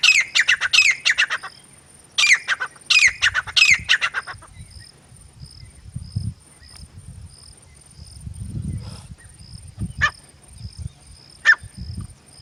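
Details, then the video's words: Grey francolin, female and male: two bursts of fast, harsh, repeated notes in the first four seconds, then mostly quiet with low rumbling noise and two lone sharp calls near the end. "Madi Grey Teetar ki Awaz | Teetar ki Boli Partridge Female and Male Sound | Grey Francolin Voice"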